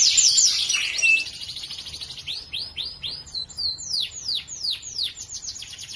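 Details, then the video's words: Morning canary song meant to stimulate silent canaries into singing: a brief loud burst of jumbled twittering, then a slower series of high, clear downslurred whistles, about four per second, with varied pitch. "Terapi burung kenari pagi hari. kenari macet langsung gacor"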